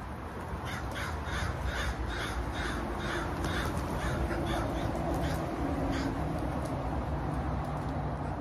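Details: Crow giving a long series of hoarse, evenly spaced caws for about six seconds, then fading, with a constant low background hum beneath.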